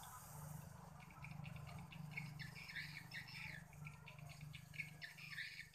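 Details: A group of swiftlets calling in response, late afternoon, 31 October 2021; quick clustered chirps and trills, busier in the second half, above a continuous low hum.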